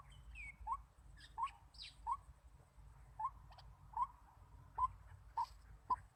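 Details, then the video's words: White-breasted waterhen kept as a decoy for trapping wild birds, giving short upslurred notes repeated about every 0.7 seconds over a low background rumble, with a few faint higher chirps. "Pemikat Burung Ruak-Ruak Memikat/White-breasted Waterhen"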